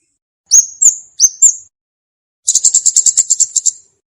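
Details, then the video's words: Olive-backed tailorbird song from a recording meant for luring birds and tutoring untrained tailorbirds: two pairs of sharp, high upslurred whistles, then a fast, even run of about twelve piercing chips. "suwara burung komade cocok buwat pikat & masteran komade bahan"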